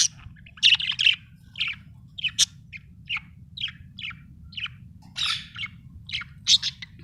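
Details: Happy pet budgerigar chirping: short, bright, scratchy chirps and warbles repeated at a steady pace about twice a second, over a low steady hum.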